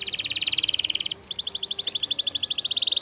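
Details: Canary singing continuous rapid trills, a dense rolling series of high notes that briefly stops, then resumes as a fast, evenly repeated chattering trill.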